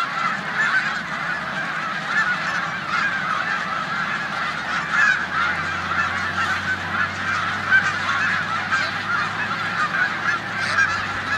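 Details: Snow geese massed in a corn field in Savannah, New York, on 14 March 2020, before their migration to the Canadian tundra; a continuous honking chorus from the whole flock, with a faint low steady hum.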